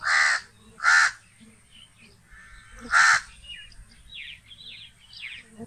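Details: A crow calls with three rasping caws, the first two in quick succession and the third after a two-second pause, while small birds chirp softly afterwards.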